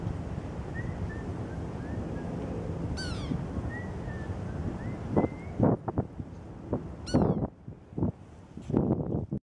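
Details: At a cold, windy daybreak a sapsucker gives two falling, nasal mewing cries several seconds apart, with faint whistled notes between, against steady wind and gusts.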